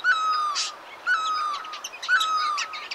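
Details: Chestnut-bellied nuthatch at the old HMT factory on Sattal bypass road, India, 5 November 2022, giving nasal, harmonic-rich notes, each a sharp upward flick then a level tone, about once a second, with softer chirps from other birds between.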